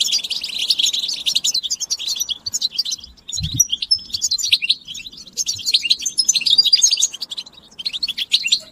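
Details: Several European goldfinches chattering together in mating and readiness calls meant to prompt silent males to sing; bursts of bright, rapid twittering and short whistled notes, with a brief pause and a low thump midway.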